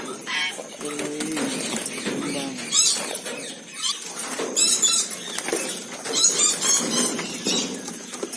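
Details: Asian glossy starling (Aplonis panayensis) giving a lively, busy song of sharp high whistles, buzzy squeaks and chattering notes, with a few lower slurred whistles near the start.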